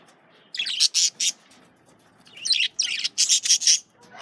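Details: Male budgerigars kept as pets, calling while eating carrots: bursts of high, scratchy chirps in two clusters, a quick group of three and then a longer run of five or six, separated by a quiet pause.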